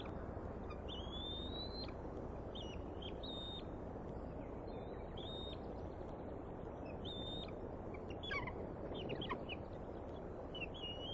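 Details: Bald eaglets in the Decorah nest, waiting to be fed while an adult eats a fish, on 14 May 2019 at 6:10 pm as the mother arrives. Thin, high, whistled peeps come in short repeated series over loud, steady wind-like rumble.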